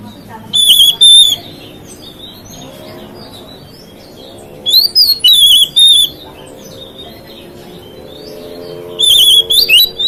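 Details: Oriental magpie-robin (kacer) singing, said to provoke other magpie-robins: three loud bursts of high, warbled whistles with quick rising and falling slurs, spaced about four seconds apart, quiet background between phrases.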